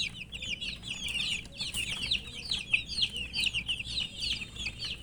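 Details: Thirsty coloured poultry chicks wanting drinking water give rapid, shrill, descending peeps in an unbroken overlapping chorus, louder bursts pulsing every half second or so, over faint low hum.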